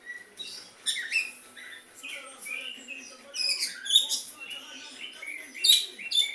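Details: Song of an Oriental magpie-robin copying a sooty-headed bulbul, made of scattered high, sweet whistles and short chattering notes that rise and fall irregularly.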